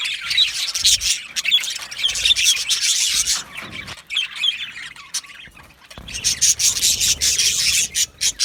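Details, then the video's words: Colony of Australian budgerigars in an aviary, a dense, continuous chatter of high chirps and squeaky warbles rising and falling in waves, with brief quieter gaps. "Budgie parrot chirping sounds"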